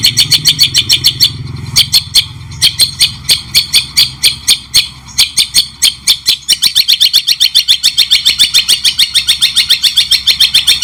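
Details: Training song of a White-rumped shama, with cendet (long-tailed shrike) named: steady rapid harsh chattering notes, roughly three to four a second, speeding up in the final seconds; low hum early on.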